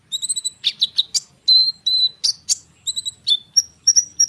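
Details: Konin bird in full rolling song used to lure sunbirds into answering: quick high chirps alternating with steady level whistled notes and short buzzy flourishes, delivered almost without a break.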